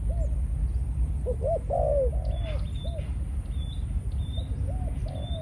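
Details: Caged Malaysian-strain decoy spotted dove in breeding mode after a few conditioning sessions, giving short arched coos in a broken series, then a longer drawn-out falling coo. Faint high chirps from other birds sit over a low rumbling background.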